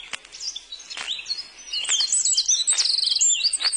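Blackcap song: a rich, fast warble of clear whistled and twittering phrases, high and varied, with soft background noise.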